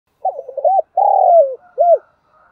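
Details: Decoy spotted dove cooing to train newly caught doves to call: a stuttered run of short notes, then a long sustained coo sliding down at its end, then a short arched closing note.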